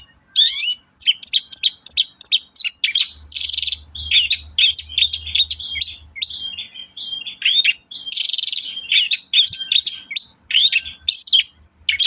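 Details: Long-tailed shrike, kept as a lure recording to stimulate other shrikes to sing: a long, busy, varied medley of rapid chips, trills and scratchy whistled notes with hardly a pause, a faint low hum underneath.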